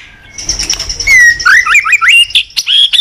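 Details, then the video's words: Morning song of a white-rumped shama, a cage bird used to lure others into singing: a thin high whistle, then a lively run of rising slurred whistles and sharp chips. "Pancingan Murai Batu Pagi hari efektif buat Gaco mu auto Gacor || The melodious of the stone magpie"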